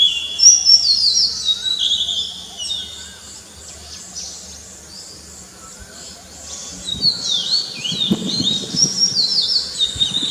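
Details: Morning song of an Oriental magpie-robin amid a bird chorus: bursts of sweet whistled and warbled phrases, a quieter stretch in the middle, then lively chattering notes again with other birds calling behind.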